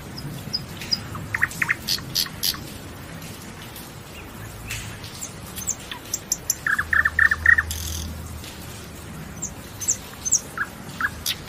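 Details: Nightingale in continuous song: varied high whistles, clicks and short slurs across the stretch, including a fast rattled run of repeated notes midway, with a brief low rumble underneath it.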